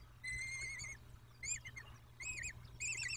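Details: Peregrine falcons at the nest in Dobra, Poland, 14 May 2021 at 14:18: a long harsh harmonic wail followed by three shorter rising-falling notes, all rich in overtones, with a low steady hum beneath.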